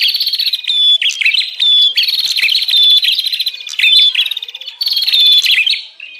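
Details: Bar-winged prinia lure call for attracting wild birds: insistent buzzy trills with a clear whistled note repeated roughly once a second, running almost without pause.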